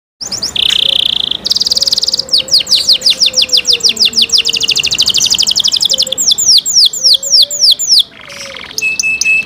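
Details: Canary singing in the cenkok style. A high buzzy held note opens, then long runs of fast repeated sweeping notes roll on at about three a second. Rattling trills and a thin steady whistle follow, with a faint low hum behind.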